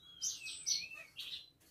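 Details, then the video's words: Caged Asian pied starling singing on its own without provocation, with imitations of other birds such as canary; brief high whistled and chattering phrases, slurred downward, with a short pause between bursts. "Suren gacor isian Cililin"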